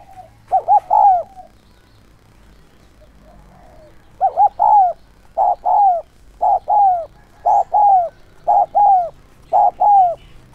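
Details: Decoy spotted dove calling to lure wild doves in the 'son' voice style: an opening pair of coos, a pause, then a steady run of two-note coos, the second note sliding down, about one per second.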